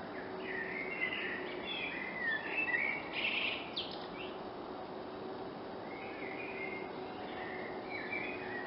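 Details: A common blackbird sings in a forest in June 2016: short, mellow warbled phrases with scratchy twittering endings, fairly distant, over a steady background hiss.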